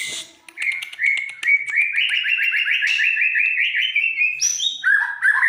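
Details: Energetic white-rumped shama song said to set other birds singing: rapid repeated chirping notes in a steady rising series, breaking into high whistled slurs and lower swooping phrases near the end.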